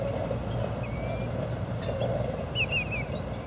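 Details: Killdeer filmed on a Panasonic TM90 camcorder: long high whistled notes followed by a rapid series of short, bouncing, lower chips, set against continuous low rumbling noise.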